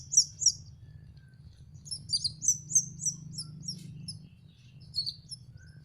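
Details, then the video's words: Juvenile canary learning to sing, giving clusters of sharp high chirps in quick bursts separated by short pauses, over a soft low background hum. "BELAJAR MELOLOH ANAKAN BURUNG KENARI"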